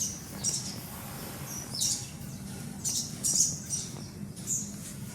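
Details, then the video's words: Baby sun conure in an aviary giving short, very high, thin squeaky calls in separate bursts about every half second to a second, over a steady low rumbling background. "lucunya bayi burung sunconure"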